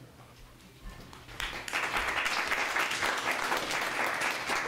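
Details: Dense crackling clapping, like applause, builds after a quiet start and carries on steadily, with a faint murmur of voices underneath.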